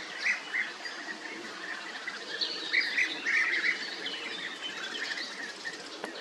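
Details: European bee-eater giving quick rolling prruip calls, a few close together at the start and a burst in the middle, with a soft background hiss.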